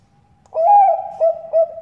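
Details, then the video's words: Bangkok-type zebra dove used as a lure call, described as a female calling a male: one steady, hooting coo note that breaks into two shorter coos in quick succession. Quiet background. "PANCINGAN PERKUTUT BANGKOK GACOR SUPER AMPUH BIKIN YANG LAIN PADA BUNYI"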